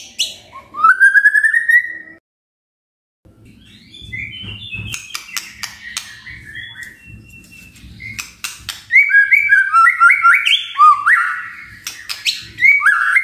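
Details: Magpie-robin (murai batu) gives a rich, varied song of rising whistles and quick chattering phrases with one brief pause, over a faint low rumble; the recording is meant to prompt other magpie-robins to sing.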